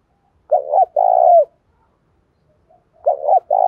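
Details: Đồng pha style cooing of a spotted dove, meant to drive decoy doves to fight and coo. A short note and a long, falling coo, then a second phrase starting about 2.5 seconds later.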